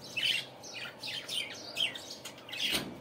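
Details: Budgerigars in the morning give raspy, warbled squawks and chirps in quick succession, ending with a loud harsh burst.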